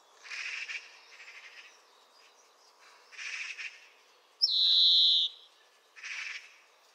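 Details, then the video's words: Song of a European greenfinch: soft, husky twittered phrases, then one strong buzzing wheeze held for almost a second, followed by more low-key chatter. "Canto do Verdilhão (Chloris chloris)"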